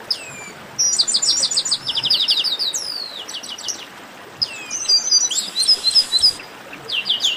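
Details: Chestnut-capped blackbird flock chorus, the noisy 'baderna' of garibaldis: overlapping high, quick whistled chirps and slurred rising and falling notes in dense bursts, with a short quieter gap before the chatter resumes.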